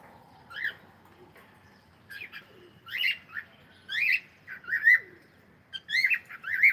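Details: Pet cockatiel singing and chattering: a run of short, bright whistled chirps and squeaks in uneven bursts, quickening and growing louder toward the end.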